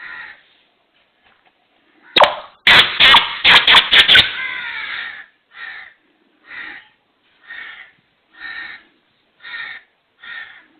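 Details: Black francolin, known locally as kala teeter, calling in the pattern heard as "subkhan teri qutrat": a loud rattling volley of harsh strokes, then short raspy notes repeated about once a second.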